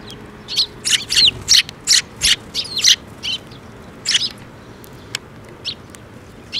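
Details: Sparrows flying in for food at a shrine bridge, 5 May 2024, give a fast string of bright chirps at first, thinning to occasional single notes toward the end.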